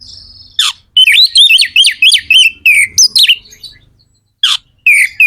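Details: Magpie-robin (kacer) singing hard to excite other kacer: a rapid string of bright, repeated whistled notes with sharp downslurs, a short silence, then a few more loud whistles.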